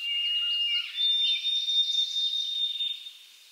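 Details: White-throated Sparrow song heard in winter in eastern North America: clear, pure whistles, a steady lower note then a step up to a long, higher held tone ('oh sweet Canada Canada'), with faint hiss behind.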